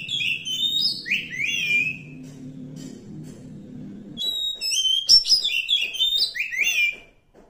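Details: Wild Oriental magpie-robin of the forest repeating falling, slurred whistled phrases, some sharper clicks and chips among them, with a low droning noise early on.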